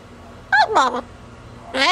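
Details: Captive female double yellow-headed amazon on a cage outing utters quick words: two short gliding syllables, then a louder rising, rasping phrase at the end, with a low household hum in the background.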